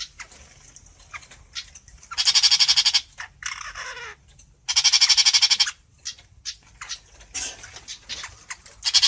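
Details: Long-tailed shrike singing to gather the flock: two loud, buzzy, rapidly pulsed screeches about a second each, separated by a soft descending slurred note and scattered short chips.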